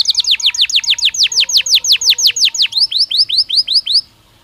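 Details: Belgian canary singing naturally, a recording meant as daily stimulus to train canaries to sing; loud series of about fifteen sharp descending whistled notes, then a faster run of shorter rising-falling notes, stopping abruptly.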